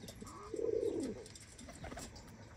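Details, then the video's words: Morning coo from a pigeon inside its coop, a single low, wavering warble lasting about half a second, followed by soft clicks and shuffling in a small room. "Sabah sabah güvercin kümesi"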